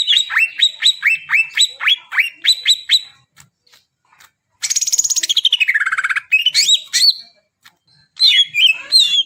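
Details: Greater green leafbird, a recording for encouraging birds that have not yet sung: a series of downslurred whistles, a pause, then a buzzy rapid trill sliding down in pitch, followed by varied whistled phrases.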